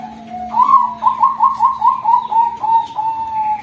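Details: Female Bangkok zebra dove, a future breeding bird at a farm, giving a rolling coo: a soft lead-in note, then a run of quick pulsed trilling notes slowing into a few longer even coos, with a steady low hum behind.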